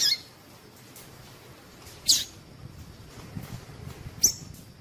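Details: High, brief chirps of a female Double-collared seedeater, used to excite males into song: three sharp calls at the start, middle and end, with some low background rumble.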